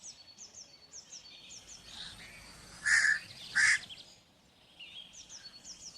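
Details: Against a steady chorus of high, repeated chirps from small birds, a crow gives two rasping caws less than a second apart.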